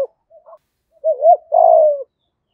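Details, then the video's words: Spotted dove used as a decoy, thổ-style voice: soft faint notes, then a wavering two-part coo and a long sustained coo that slides downward. "cu gáy giọng thổ đủ bài"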